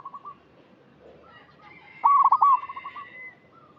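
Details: Local zebra dove, actively singing, used to prompt young untrained doves: faint soft coos, then one loud, rapid, bubbling coo phrase trailing into softer repeated notes, against a quiet background.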